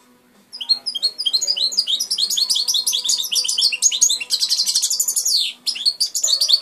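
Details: Hand-raised European goldfinch singing a dense, fast run of bright twittering chirps and tinkling notes that builds after a brief quiet start, with a short pause near the end and a faint steady hum beneath.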